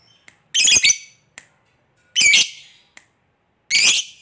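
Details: Lovebird giving its koek calls to prompt other lovebirds to reply: three harsh, shrill squawks spaced about one and a half seconds apart, with faint clicks between them.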